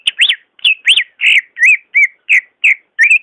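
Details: Greater green leafbird song used as a prompt for leafbirds slow to sing: a steady series of about ten loud, rounded, rising-and-falling whistled notes, roughly three per second, clear and ringing.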